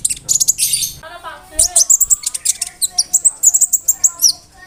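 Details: Konin bird pouring out a varied imitation-filled song for tutoring songbirds; scratchy high bursts followed by quick chirps and looping whistled notes in steady succession.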